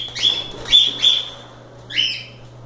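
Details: A cockatiel, one of several loose and playing, gives four bright, buzzy whistled chirps, three close together and one after a pause, over a low steady hum.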